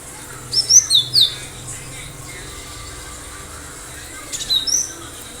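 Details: Cinereous tit singing vigorously: a loud phrase of three or four sharp, high down-slurred notes, then a quieter, shorter phrase several seconds later, with low hum beneath.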